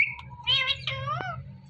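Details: Pet Indian ringneck parakeet known for talking, producing a quick string of short, harmonic, voice-like squeaks and chirps with a sharp click near the end, over a faint low hum.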